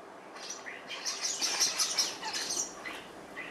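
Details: Morning chatter from starlings at breakfast: a dense run of high, sharp chirps and whistled squeaks that builds in the middle and then thins out, with a couple of lower buzzy notes.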